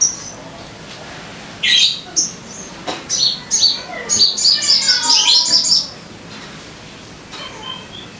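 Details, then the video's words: Lure recording of a sogon meant to prompt caged birds into song: after a quiet start, bright chirps build into a rapid, rattling train of high notes lasting several seconds before fading to faint calls. "Pancingan Suara Burung Sogon Biar Cepat Gacor"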